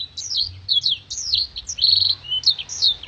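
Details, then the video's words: Clear, crystal-voiced black-throated canary song for schooling contest birds: a few loud zigzag whistled phrases with a short buzzy trill in the middle. "MASTERAN BLACKTHROAT GACOR NEMBAK PANJANG DAN TAJAM VOKAL JERNIH DAN KRISTAL"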